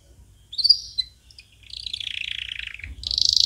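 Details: Canary song, played for training chicks: a few thin high whistled notes, then a buzzy, rattling trill and a fast, bright high trill at the end.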